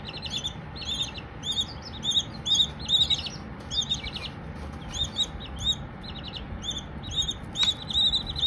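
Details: Several baby Silkie chicks give bright, arching peeps in dense bursts, roughly two or more a second, some doubled, over a constant low background hum.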